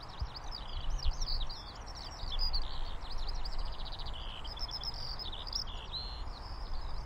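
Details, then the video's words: Eurasian skylark singing a fast, continuous high warble of trilled, looping and buzzy notes that tumble without pause, with a low rumbling background noise throughout. "Eurasian Skylark Sounds"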